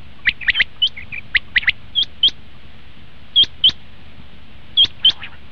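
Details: Common quail call for luring quail when hunting: a burst of jumbled clicking notes at first, then evenly spaced pairs of sharp, high whistled notes.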